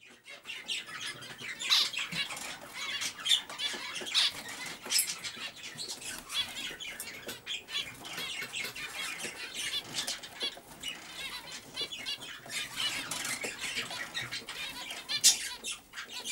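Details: Many zebra finches in breeding cages chatter together in a steady stream of short, high, nasal chirps.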